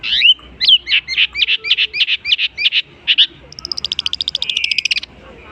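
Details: Long-tailed shrike copying other birds: loud harsh chattering notes repeated about four per second, then a fast high-pitched rattling trill.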